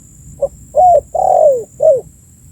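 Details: Spotted dove call used as a lure for attracting birds: one brief hoot, a rising coo, then a drawn-out cooing note curving down and a closing falling coo, low and soft over faint hiss.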